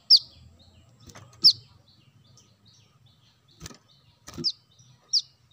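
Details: Brown-throated sunbird recording used as a lure for birds: a few sharp, high, downward-slurred notes spaced irregularly, with soft clicks and low background rumble between them.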